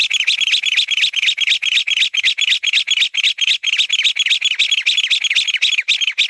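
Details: A mountain bamboo partridge delivers a continuous string of shrill, scratchy chattering notes at about four per second, a fast, regular pulse holding the same pitch from start to finish, nothing else audible.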